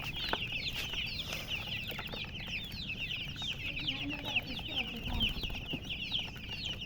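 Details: Many baby chicks cheeping at once, with rapid high down-slurred peeps repeating without pause. Some lower murmuring sounds appear midway, and low background rumble is heard throughout.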